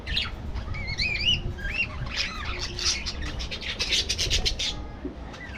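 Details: Budgerigar from an aviary colony warbling: a run of wavering, bending whistled notes at the start, followed by a burst of rapid, clicky chattering from the flock.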